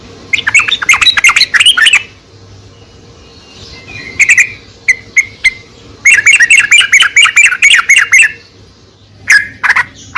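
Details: Sooty-headed bulbul, used to draw out singing from a quiet bulbul: several bursts of quick, bubbly chattering notes separated by short pauses, with a few softer isolated whistles between them.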